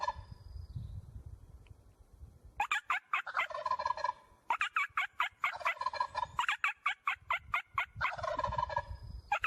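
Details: Turkey gobbling in rattling bursts mixed with rapid sharp clicks, the gobbles coming in three main bouts over nine seconds.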